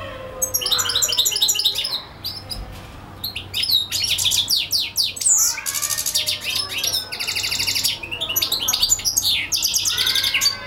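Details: European goldfinch singing at length, a rapid twittering run of buzzy trills, tinkling notes and quick chirps, mostly high-pitched, in bursts separated by brief pauses, with a faint hum underneath.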